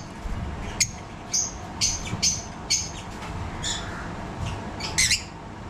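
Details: Breeding yellow-collared lovebirds in captivity giving brief, sharp high chirps and squeaks, about eight separate notes at uneven intervals, against a quiet low hum.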